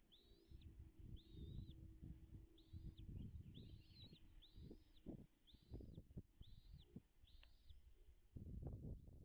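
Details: Bald eagle at a lakeside nest on Dale Hollow Lake, Kentucky-Tennessee border, caught by a nest camera in its natural habitat, 05.03.2022 at 09:56; a string of high arched whistled notes, about one every second, over heavy low thumping and rustling.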